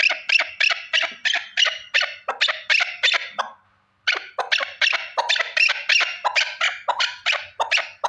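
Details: A single male partridge gives quick series of harsh chuck notes, pauses briefly near the middle, then resumes the rapid, scratchy rhythm.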